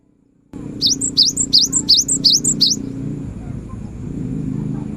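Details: Cinereous tit singing energetically, used to prompt silent birds to sing: six quick high phrases sliding down then up, delivered in under two seconds, followed by a steady low humming background.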